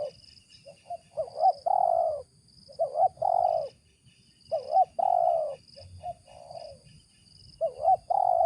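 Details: Spotted dove giving the 'ngeruk' call, described as suitable for use as a decoy: hoarse, rolling coos in short bursts, phrases repeating every few seconds, with a steady high whine in the background.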